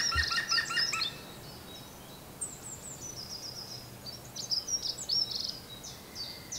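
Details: Robin song: a loud burst of stacked, rapid chattering notes at the start, then a string of thin, high, tinkling phrases and short trills that continue to the end.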